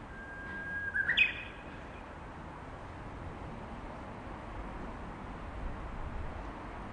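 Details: Japanese bush warbler perched on a power line gives one song phrase: a held, level whistled note, then a brisk burst of higher, sharply rising notes. The rest is quiet background hiss.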